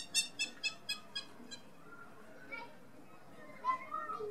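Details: Hamerkop laughing call: six quick, bright, nasal notes at about four per second that fade out, followed by softer, lower calls.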